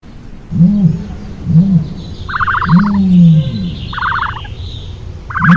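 Deep, hollow humming notes from an ostrich, short arched hoots about once a second and one longer drawn-out moan, with brief rattling chirps of smaller birds behind.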